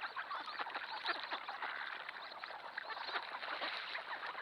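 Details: Thousands of mixed ducks, green heads, teal, wigeon and pintail among them, crowding a flooded cornfield before a trail camera: a thick, unbroken wall of nasal calls and quacks.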